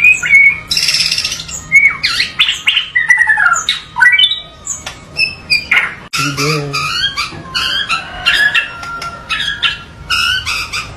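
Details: Loud, richly varied white-rumped shama song: sharp whistles, downward slurs, harsh squawky notes and fast ticking runs, shifting phrase to phrase with hardly a pause.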